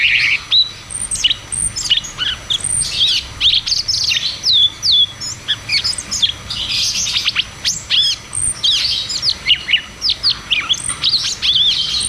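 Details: Ngeroll tembak singing by cucak cungkok, played as a lure to restart silent caged birds. A dense, nearly continuous stream of sharp high chirps and rising and falling whistles, with brief pauses between bursts.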